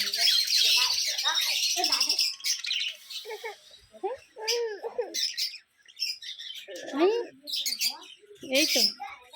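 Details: Small budgerigars chattering in the sunshine with quick buzzy chirps and scratchy warbles, several each second, while a person talks softly over them.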